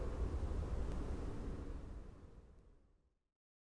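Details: Low rumbling traffic or engine noise that fades to silence after three seconds, with no animal sounds.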